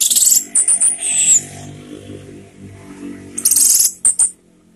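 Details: Orange-headed thrush calling, used as a lure to provoke other birds into singing; harsh, hissing high bursts with a brief whistled slur, a quieter gap, then a second cluster of rasping notes.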